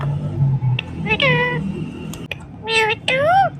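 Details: Rose-ringed parakeet, kept as a pet, talking loudly: a drawn-out nasal syllable, then two strong harmonic phrases, the last rising and falling like a spoken word.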